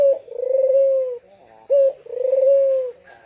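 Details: Barbary dove calling, used to encourage quiet caged doves to sing: long vibrating coo, a short sharp note, then another long even coo.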